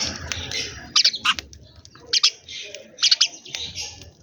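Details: Sparrows chirping while eating food in the morning: clusters of short, sharp, high chirps come in three bursts about a second apart, with quiet gaps between them and a faint low rumble underneath.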